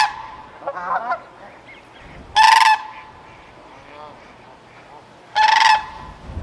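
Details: Sandhill crane (Antigone canadensis), recorded in 2025 in British Columbia, Canada, gives two loud, rolling, trumpeting calls about three seconds apart, with fainter calls from other birds before them.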